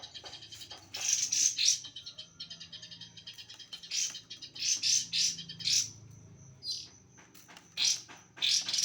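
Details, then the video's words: Oriental magpie-robin heard during trotol song mastering: loud, harsh, buzzy high bursts in clusters, separated by quieter chattering stretches, over a steady thin high whistle held across most of the recording. "pemasteran trotol kacer"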